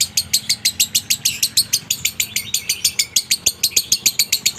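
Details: Lovebird giving konslet minor song in a dry tone, used to stir other lovebirds to sing: steady, evenly spaced shrill chirps, about three per second, each a sharp high squeak repeated without break.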